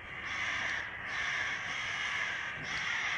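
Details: Summer-evening crow flock raising a racket near a window, heard as a thick wall of harsh, overlapping cawing that swells and eases slightly across the few seconds.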